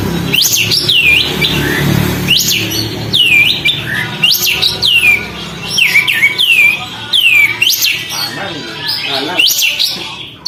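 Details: Sooty-headed bulbul singing persistently with tail spread, used to provoke other birds; loud arched whistled phrases, sharply rising then falling, repeated about every one to two seconds, over low background rumble.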